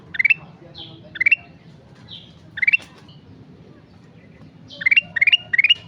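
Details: Sooty-headed bulbul sings brisk, upward-stepping clusters of chirpy notes, singly at first and then three in quick succession, with a short whistle between some phrases over quiet background hiss.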